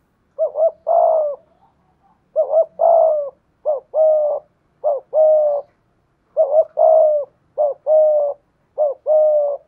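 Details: Spotted dove with a 'thổ pha thúc' voice, kept as a decoy and cooing 'gù' against a wild dove. Close clusters of two-note phrases, a wavering lead note and a longer husky coo, repeated rapidly in groups with a silent gap between them.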